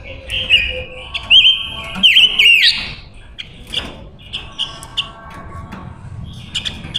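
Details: Female silver-eared mesia kept as a decoy, singing to draw in wild males for trapping; a loud, sustained whistled strain with rapid twisting inflections opens the recording, followed by quieter scattered chirps and short whistles.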